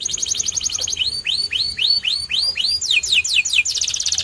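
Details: White canary song: a fast pulsed trill gives way to a series of rising-then-falling whistled arcs, repeated about four times a second, then quick downslurs and another rapid trill.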